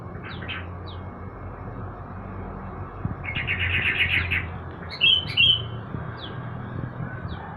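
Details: Kept yellow-vented bulbul being sunned in the morning: a burst of rapid chattering notes, then two strong liquid whistles near the fifth second, amid scattered thin chirps from other small birds.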